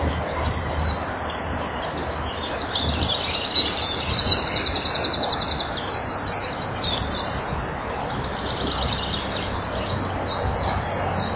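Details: At a nest-bank camera at 09:05 on 19 April 2012, the male common kingfisher keeps calling with shrill, piercing high whistles in quick bursts as the female enters the nest tunnel, over a steady hiss.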